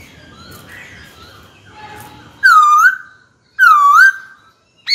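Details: White-cheeked laughingthrush in captivity, singing to challenge a rival: faint chatter and room noise, then two loud, pure whistles that sag in the middle and lift at the end, a second apart.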